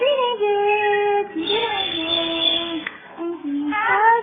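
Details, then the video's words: A pet male Hahn's macaw says 'peekaboo' in a clear, voice-like tone while playing peekaboo with pictures of his owners. The bouncy bursts rise and fall in pitch and sound like hiccups, with faint room echo. "Hahns Macaw "Petie" HICCUP!!"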